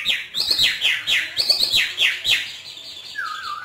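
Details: Hwamei from northern Vietnam, trained cage bird singing freely: rapid series of loud slurred whistles sweeping down, about four per second, ending in a lower wavering note.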